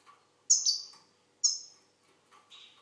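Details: Algerian goldfinch singing two bright, piercing high notes about a second apart, followed by a softer, lower buzzy phrase; the background is otherwise silent.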